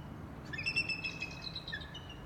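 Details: Bald eagles at Big Bear Lake: an adult female trumpeting, joined by a 2018-hatched young eagle and a roughly four-year-old bird; overlapping thin, high piping notes in a chorus lasting about a second and a half.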